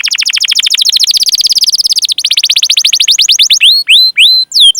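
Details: Canary song meant to prompt other canaries to sing: a rapid continuous trill of high chirps, then slower rising and falling whistled notes.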